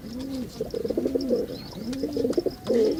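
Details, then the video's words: Male pigeon performing a display: repeated deep cooing phrases, each a low rolling arc followed by a throbbing pulsed burst, about three phrases in three seconds, with faint high chirps of small birds behind. "Pigeon sound Effect || Male pigeon super Performance"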